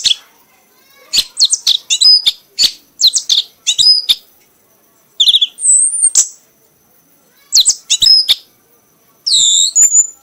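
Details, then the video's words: Singing to the point of exhaustion, a prize-winning red-whiskered bulbul pours out dense clusters of shrill whistled notes and bright upward slurs, in bursts broken by short pauses. "kanis merah bunyi sambil mabok sampai lemas"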